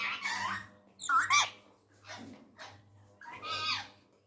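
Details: Indian ringneck parrot, a pet talking in Urdu/Hindi while angry: raspy, voice-like phrases and a sharp squawk near one second, then softer mumbled syllables over a low indoor hum.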